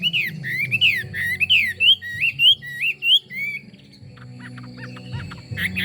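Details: Chinese hwamei singing a run of loud, slurred whistles that rise and sweep upward, repeated briskly for about three seconds before trailing into softer, scattered notes over a steady low hum.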